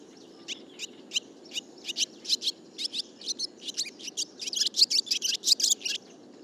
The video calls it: Vogelstimmen: Die Rauchschwalbe - Barn swallow